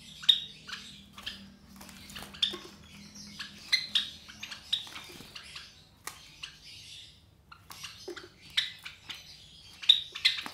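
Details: Three Java sparrow chicks, about 23 days old, raised in captivity by white Java sparrow parents. Bright, high-pitched chirps and squeaks come in quick clusters, with occasional louder piercing notes and a brief quiet stretch midway.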